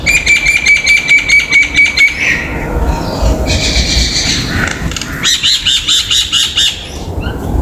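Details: Common myna on a home balcony giving loud, harsh chattering and rapid repeated notes with whistled tones, in quick bursts; background hum and low rumble throughout.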